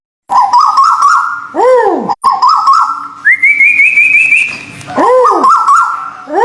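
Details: White-billed bulbul therapy recording of local and Malaysian birds: bouncing whistled notes, then a looping arched call, a wavering high trill that rises and holds, and more bouncy whistles with arched swoops. A faint hum runs beneath.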